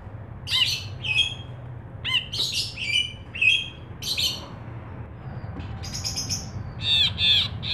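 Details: Ashy bulbul singing for tutoring and luring songbirds: scattered, varied chirps and ringing notes, some sharp and some buzzy, coming in irregular short clusters with brief gaps and a low steady hum behind them.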